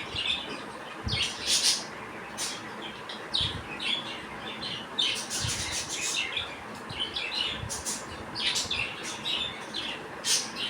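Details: Several young budgerigars playing on the outside of their cage keep up busy, high, scratchy chatter and twittering, with repeated short chirps and occasional low bumps.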